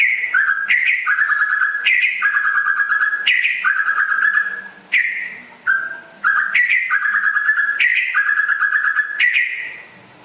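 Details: Rare West Aceh white-rumped shama, a constant singer, repeating bright rising whistles, each followed by a fast buzzy trill, in a steady rhythm about every second with a few short breaks.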